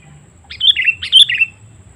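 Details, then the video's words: Sooty-headed bulbul lure call used to draw in wild birds: two quick bright chirpy phrases, each a short run of bubbly notes that step down in pitch, about half a second apart, over a quiet low hum. "Suara Panggilan Kutilang Memanggil Burung Liar ‼️ Pikat Kutilang Cengkram"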